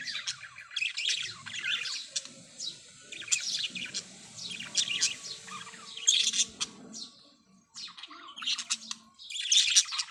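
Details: Busy parrot chatter: nearly continuous scratchy chirps and rough squawks, several overlapping, with brief pauses and a strong harsh burst at the close; faint low murmuring below.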